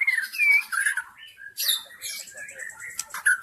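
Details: Wild forest white-rumped shama, a lure sound for attracting others of its kind: clear looping whistles, then a loud harsh scratchy burst followed by quicker varied notes and chips.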